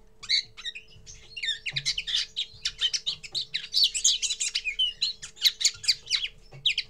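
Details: Common linnet singing for the first time: begins with a few spaced chirps, then builds into a long, dense, rolling twitter of varied high notes. A soft low hum runs throughout.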